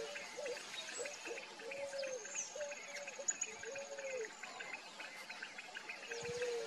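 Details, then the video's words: Wild Picazuro pigeon (Patagioenas picazuro) in Brazil gives a series of low, hollow coos, several notes each second, over a busy chorus of higher chirps and whistles from other birds. "PICAZURO PIGEON (PATAGIOENAS PICAZURO), ASA-BRANCA, POMBA-CARIJÓ"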